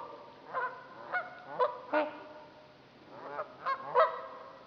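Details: Trumpeter swans calling on Dixon Lake, Itasca County, Minnesota: a quieter run of nasal, trumpeting honks, about six notes spaced irregularly, some doubled, over a faint low hum.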